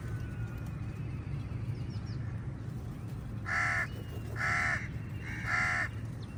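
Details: Among a crowd of crows contesting food with eagles, three loud, raspy caws come about once a second after a quieter stretch, with low rumbling noise throughout.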